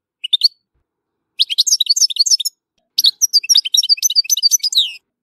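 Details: European goldfinch singing at Tissemsilt: a few sharp opening chirps, then two bursts of dense, fast twittering with buzzy, slurred high notes.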